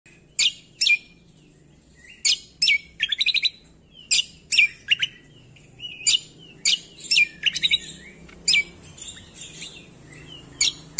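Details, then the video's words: Cucak kombo calling with bright, high chirps and short warbled phrases in quick bursts, about one every second, some sliding down at the end, against a quiet background. "MASTERAN CUCAK KOMBO - PANCINGAN MALAS BUNYI"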